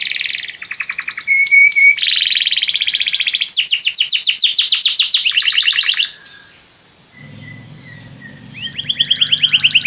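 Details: Belgian canary song aimed at prompting other canaries: short trills, a low whistled note, several rolling tours, a pause over a faint low hum with a thin held whistle, then the trilling resumes.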